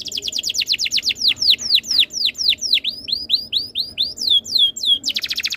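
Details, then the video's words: Canary song used as a tutor to get other canaries singing, with rapid repeated high notes slowing into a series of loud descending swooping whistles, then a quick buzzy trill at the end. "MASTERAN BURUNG KENARI ABAD INI - BIKIN KENARI LAIN IKUT BUNYI"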